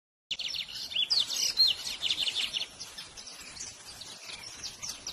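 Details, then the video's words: Songbird singing a rapid, high chirping song of bright trills and short whistled notes, densely repeated for about two seconds before fading into softer scattered chirps over a quiet background. "What bird is this ?"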